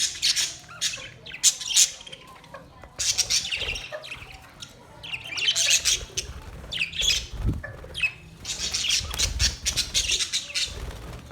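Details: Australian parrot calling: harsh, noisy squawks in dense bursts across eleven seconds, clustered outbursts separated by brief quieter gaps, with a low rumbling background.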